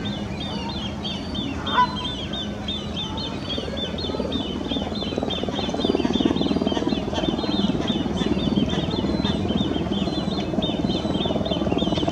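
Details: Great crested grebe family with three chicks passing their nest site at the Serpentine island; the chicks pipe a steady stream of thin, high peeps, several each second, over a heavy low rumble of wind or distant noise.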